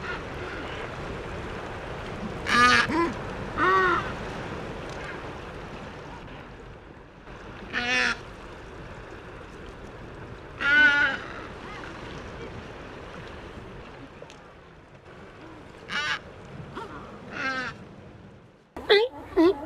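Adelie penguins give short, harsh, nasal squawks in scattered bursts over a steady rush of wind and surf.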